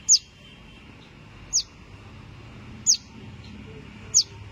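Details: Fallen Common Tailorbird chick, alone and calling while its mother is sought, gives four brief piercing descending chirps spaced roughly every one and a half seconds against quiet background noise.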